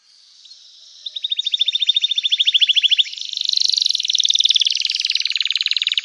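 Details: Canary in full song, a lively chattering 'cuit cuit' style used to get other canaries singing, delivered as fast rolling trills of rapidly repeated notes: one steady tour of about two seconds, then a denser, higher trill to the end, with no other sounds.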